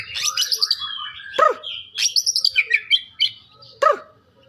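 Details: White-rumped shama of the Medan type singing a varied run of high whistled notes, short chirps and a few sharp descending strokes, with brief pauses between phrases and no other sounds.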